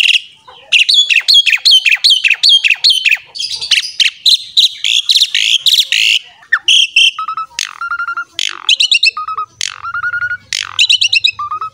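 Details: Asian pied starling in energetic 'gacor mompa' song, used to lure other starlings into singing: fast bursts of rattling high notes, then clear whistled phrases with sharp upward flicks, delivered almost without pause.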